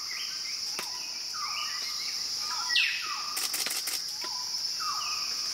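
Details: Wilson's bird-of-paradise in the Arfak Mountains of West Papua: short downslurred notes, some hooked, scattered through the clip, set against a steady high insect whine and forest background.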